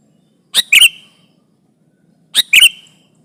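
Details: Sooty-headed bulbul as a trapping lure, pressing a rival: two crisp doubled chirps with a short falling whistle, about two seconds apart, otherwise quiet.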